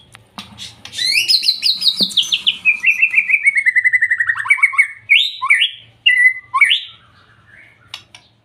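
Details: Young white-rumped shama song used as a lure to provoke other shamas to sing: a long rapid series of bright repeated notes descending from high to mid pitch, then loud whistled phrases and sharp upslurred notes, with a low background hum.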